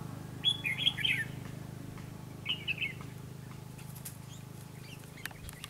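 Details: Red-whiskered bulbul at a trapping site with a lure, giving fighting song: two short bursts of bright whistled notes early on, over a steady low hum and scattered clicks.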